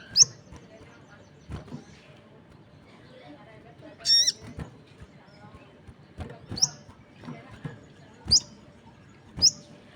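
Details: Crested jay calling as other birds answer: one harsh, grating note near the middle and several shorter, thin, downslurred chips spaced about a second apart, with scattered clicks in the background.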